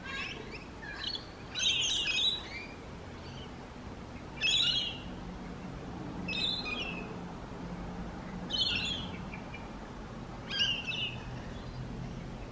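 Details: Loud, grating screeches from a rainbow lorikeet, repeated in five harsh bursts roughly every two seconds, with low hum in the background.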